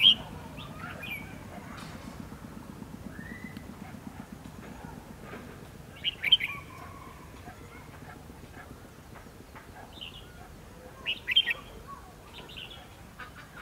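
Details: A red-whiskered bulbul used as a decoy in a trap to lure wild bulbuls gives short, bright, chirping phrases at intervals over a low steady hum, on 11 November 2016.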